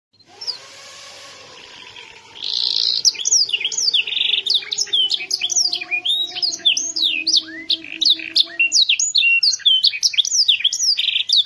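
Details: A female canary (Serinus canaria) sings a fast, continuous run of bright rising and falling chirps and trills, high-pitched and busy, with a low steady hum beneath the first half.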